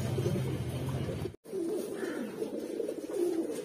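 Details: Mookee pigeons from a collection of red, black, yellow and silver birds, cooing in low, throaty rolling notes that overlap from several birds, over a steady low hum and a brief drop-out near the middle.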